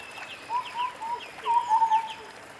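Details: White-browed scimitar babbler in forest: a series of clear whistled notes around a steady mid pitch, several short phrases within under three seconds, with faint higher chirps from other birds behind.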